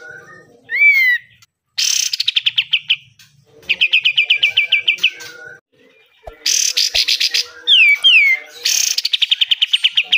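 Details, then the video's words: Pied triller singing for training caged birds: several long runs of rapid, evenly repeated high notes, broken by downward-sliding whistles and brief pauses. "BESETAN KATEM, kapas tembak gacor, BUNYI KAPAS TEMBAK"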